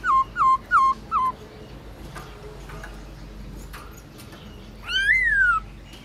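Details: Black-throated laughingthrush singing at midday, a kept bird in training, in a forest-voice style: four short whistled notes that each slide downward, a pause, then one longer whistle that rises and falls, over a faint steady background hum.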